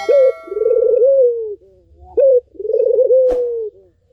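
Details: Cooing from a Barbary dove, played to lure a non-singing bird into voice. A brief steady tone opens. Then two rolling coos come, each a long tremulous hum sliding down, preceded by a quick upswept note, with a sharp tap.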